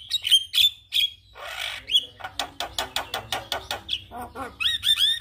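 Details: Javan myna reacting to a lure recording of a singing Javan myna: bright whistled notes, a raspy burst, a steady series of clicking chattering notes, then more high ringing whistles.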